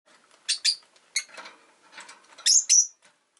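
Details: Pet rosy-faced lovebird chirping: short high sharp chirps in pairs, with a bright doubled note near the end, over faint low street noise.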